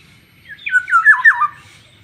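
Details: Yellow-headed black-naped oriole, described as fierce, gives a single loud phrase of four harsh, slurred notes that step downward in pitch, each nasal and rasping, against near silence.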